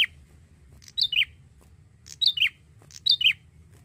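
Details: Young male Bar-winged prinia singing actively, kept as a lure bird: sharp high two-note chirps, the first note higher and the second dropping, given in three bursts about every 1.1 seconds against a low background hum.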